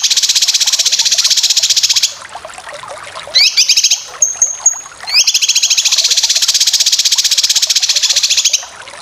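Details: Full besetan of cucak kinoy for competition bird training: two long stretches of fast, even, buzzy chattering, separated by rising whistled phrases and a brief thin sustained whistle.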